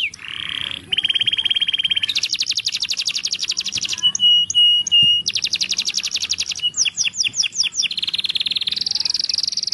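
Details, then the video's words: Belgian canary song for tutoring chicks: a sequence of rapid buzzy trills at changing pitches, a pure steady whistle, quick upswept notes, then another trill, with clean vocalization. "ENCARTE CANÁRIO BELGA PARA FILHOTES"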